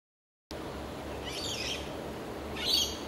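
Golden whistler giving two brief, high whistled phrases about a second apart over a steady background hiss.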